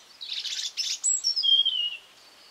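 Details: European robin singing in spring in a garden: a single phrase opening with a rapid jumble of high twittering notes, then clear thin whistles sliding downward, ending in a fading high note.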